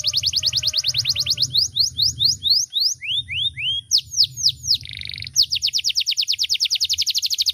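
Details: Singing canary delivering a rapid high trill, then slower looping whistled notes, downward slurs and a brief buzzy rattle before returning to a long, very fast repeated trill.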